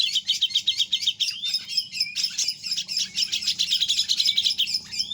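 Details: Grey-cheeked bulbul in an energetic besetan-style song: a continuous stream of quick, scratchy chirps and rippling trills, high-pitched and pulsing about four times a second, with faint low hum beneath.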